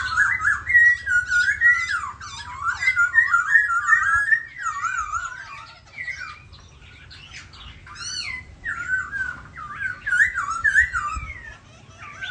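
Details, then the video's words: A cockfighting laughingthrush (khướu da bò) sings a rich, fast warble of twisting whistled notes, continuous at first, then broken into separate rising and falling phrases over a low indoor hum. "Khướu da bò hót múa đẹp"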